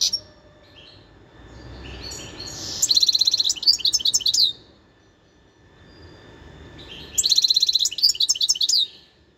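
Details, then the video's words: Wild European goldfinch recorded in 2021 singing two bursts of rapid, tinkling twitters and buzzy trills, each lasting about two seconds, separated by a quiet gap with faint low background hum. "تغريد الحسون البري"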